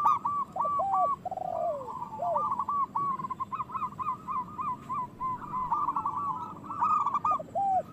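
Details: A group of local zebra doves keeps up continuous stuttering trilled coos, with low drawn-out downslurred notes early on. Meant as a lure so that reluctant doves start singing and breeding.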